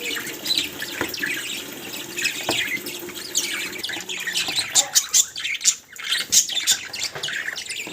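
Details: Several pet budgies chattering together in a dense, overlapping stream of scratchy high chirps and squeaks, with sharper clicks and brief squawks bursting out toward the end.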